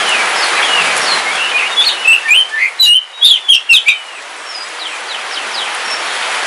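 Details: Caged oriental magpie-robin of the Kalimantan black form, a home-kept bird, singing on a rainy day after a long time without bathing; bright whistled and chirping phrases over steady loud rain hiss.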